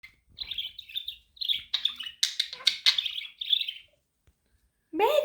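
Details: Budgerigar chirping, described as helping a lonely budgie become active; a run of warbled, scratchy chirps for about four seconds, then a pause and a harsher, louder squawk at the end, in a quiet indoor setting.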